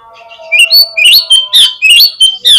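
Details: Oriental magpie-robin lure song, aimed at making birds reply and fan their tails: loud, clipped, high whistles with rising and falling sweeps in quick bursts, over a quiet sustained tonal background.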